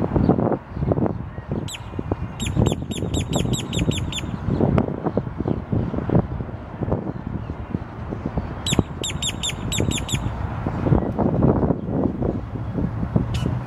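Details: Boat-tailed grackle calling in Savannah, Georgia, on April 21, 2022: two bursts of sharp, high, ticking notes, about nine then seven in rapid series, over heavy traffic rumble and wind.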